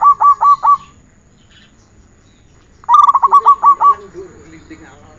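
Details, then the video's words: Song of a zebra dove on a training recording: a short phrase of bright pulsed coos, a silent gap, then a longer stuttering series of about eight notes followed by a low trilling sound. "Masteran perkutut 1 jaman"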